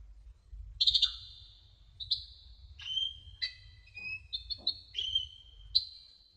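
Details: Song of a sunbird (kolibri ninja) for masteran: a loud high buzzy note, then a tumbling sequence of whistles and quick chips at varied pitch, sliding up and down, over quiet hum.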